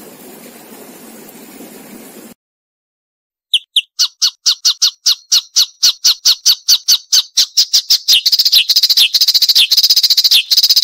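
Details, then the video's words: A Marsh warbler gives a fast run of sharp, high chattering notes, about two per second at first, speeding into a dense, harsh trill; a short noisy hiss comes before it. "Masteran Burung Suara Tajam - Masteran Nembak Tajam - Mars Warbler"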